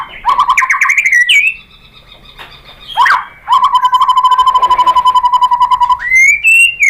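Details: White-rumped shama song meant to draw replies from other shamas: rich whistled phrases, then a long fast rattling trill on one steady pitch for about three seconds, ending in a rising whistle.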